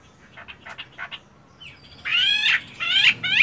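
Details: Caged fighting-type Chinese hwamei in fine plumage, practising its voice in the morning while moulting: faint short chirps, then loud, rich whistled phrases with slurred, ringing notes in the final second and a half.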